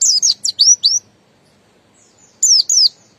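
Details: Buxton's white-eye, a kept songbird, giving very high, thin downslurred notes in a quick burst of about five, a pause, then two more similar notes; clean background.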